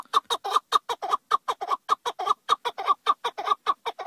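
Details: Chukar partridge in steady full cry, loud grating clucks delivered in quick paired beats without a break, evenly spaced across the passage.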